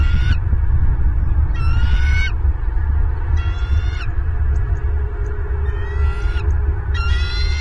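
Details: Bald eagle at a nest camera in Southwest Florida, 24 January 2023, 09:41 in the morning: bursts of high, thin chittering calls with rising piping notes, about five series in eight seconds, over constant heavy wind rumble.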